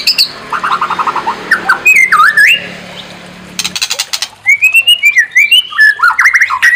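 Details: White-rumped shama song played as a provocation to make another bird sing: a blend of fluttering whistles and buzzy notes over a low hum, then a rattle of clicks, followed by clear rising and falling whistled phrases.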